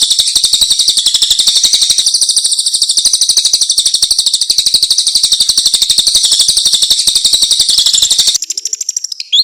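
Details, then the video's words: Long-tailed shrike master song full of filler phrases, used for training other birds: a long, rapid, even high trill of dense buzzy notes for about eight seconds, then a brief pause and a few scattered sharp chips. "Masteran burung cendet terbaik full isian"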